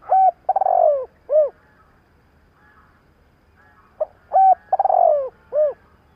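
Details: Spotted dove used as a trained decoy bird, cooing in the style called thúc gáy kích bổi to provoke wild doves; low hooted phrases of a short coo, a rapid stuttering burst and a rounder coo, given twice about four seconds apart, quiet background.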